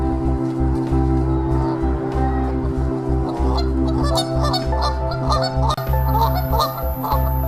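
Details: A Canada goose pair, at the start of mating season, give loud, nasal honks after mating, sparse at first then in quick, uneven bursts, over steady background music.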